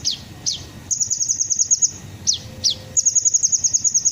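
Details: Kolibri ninja sunbird lure: several thin notes sweep steeply downward, then give way to fast, even, very high-pitched chattering trills lasting over a second.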